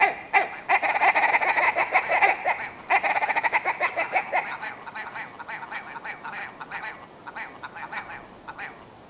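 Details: Long willow ptarmigan sequence: loud rapid clucking rattles at first, breaking into slower, evenly spaced clicking notes that gradually grow quieter.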